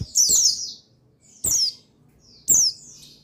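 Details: Male buxtoni white-eye, used as a trigger to get other white-eyes singing, dated 8/8/21: three high, sweet, descending chirps, the first longest, each marked by a sharp click.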